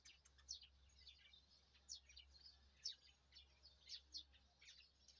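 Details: Birds chirping on a morning in a rice field: faint, high, thin chirps and short twittering notes scattered irregularly, with a low steady hum underneath.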